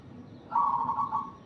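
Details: Zebra dove uttering a single short, vibrating trilled coo lasting under a second against quiet background hiss.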